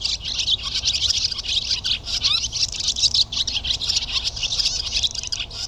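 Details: Barn Swallow song heard as a dense, unbroken high twittering chatter of quick clicks and trills, steady in loudness throughout.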